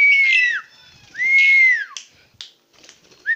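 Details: Tame jalak suren, the Asian pied starling, in chattering song: two long, clear whistles rising then curving down, laced with harsh grating overtones, followed by brief scratchy clicks and a short closing whistle.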